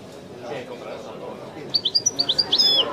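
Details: European goldfinch singing in the authentic Wiidani song style: after a quiet, faintly hissing start, a quick run of high, clipped chirps and slurred twitters follows in the final second.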